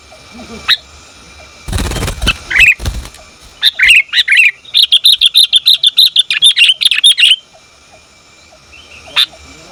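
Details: Female sooty-headed bulbul calling the male: a few scattered chirps, a noisy burst, then a fast series of bright, sharp chirps of even pitch repeated for about three seconds before a final lone note.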